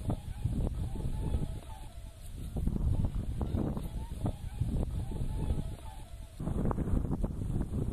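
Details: Thousands of whooper swans gather from March on a Yellow River wetland park in Dengkou County, Bayannur, Inner Mongolia, swimming, flying and stretching their necks to call: a dense, overlapping chorus of nasal, bugling honks over a low wind or water rumble.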